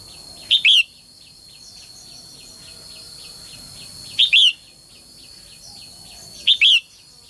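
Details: Female bird calling to stir males into lively singing: a short high chip runs straight into a longer slurred whistled note. The call comes three times, a few seconds apart, over a faint steady ticking series.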